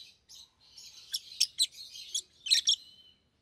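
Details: Pair of pet rosy-faced lovebirds, one yellow and one green, both red-headed, giving high chirps and shrill squeaky notes in uneven bursts, with several louder sharp peaks toward the end.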